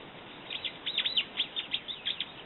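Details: Brown-eared bulbul making a quick string of bright, sharp, evenly spaced chirps, high and downward-slurred, roughly five per second.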